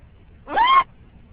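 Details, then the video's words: Male green-winged macaw on a morning car ride, growing more vocal: one brief, tonal vocal sound that rises then slightly falls, with faint car rumble behind. "Green Wing Macaw Parrot Talking"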